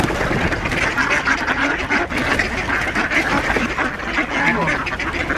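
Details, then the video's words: Many ducks calling at feeding time on Diss Mere, Norfolk mere scene dated 17 December 2022, two geese among them; steady overlapping raspy quacks form an unbroken, noisy wall of sound. "DUCKS OUTNUMBER 2 GEESE AT FEEDING TIME ON DISS MERE"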